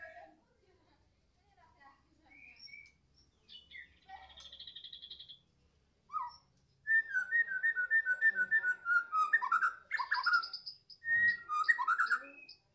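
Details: A Medan white-rumped shama singing in the afternoon. Scattered soft notes and a brief buzzy phrase open it, then loud, rapid whistled phrases and sharp chirps pour out continuously over the last six seconds.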